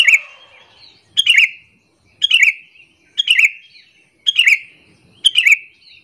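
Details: Sooty-headed bulbul giving a lure call meant to draw in other bulbuls and make them agitated: a bubbly, slurred chirping phrase repeated about once a second, each burst dropping into a short whistled tail.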